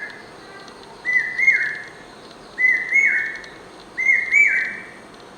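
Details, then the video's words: Common hawk-cuckoo, called Akka kuyil, singing without pause: strident whistled phrases of two rising notes, repeated about every one and a half seconds over a constant low hum. "Common Hawk Cuckoo's call | Incessant singing"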